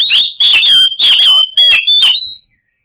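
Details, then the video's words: White-rumped shama song played as a lure to prompt silent birds into singing: loud, rich burst of five harsh, buzzy phrases over a sustained piercing whistle, ending abruptly after two and a half seconds. "SUARA KACER TERBAIK BUAT MEMANCING KACER MACET PASTI LANGSUNG NYAUT"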